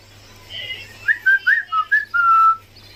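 A cockatiel gives a run of clear, whistled notes that rise and fall, ending on one longer tone.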